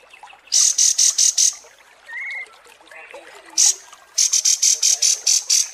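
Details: Kapas tembak songbird from masteran training audio for competition birds: clusters of short, piercing high notes come in quick bursts, with one lower brief warble in a pause between them.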